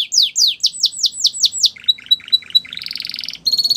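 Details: Belgian canary song opening with about eight loud, evenly spaced rising whistles, then softer clipped notes and a buzzy trill, with faint low background hum.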